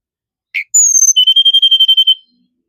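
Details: A Sunda robin gives one short chirp, then a high slightly falling whistle flowing into a rapid, evenly spaced trill of about a dozen whistled pulses.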